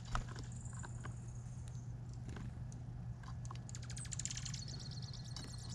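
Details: Chickadees at a bird feeder on Vancouver Island: thin, very high notes, a drawn-out whistle early, then a quick run of short high calls, over a steady low hum and tapping clicks.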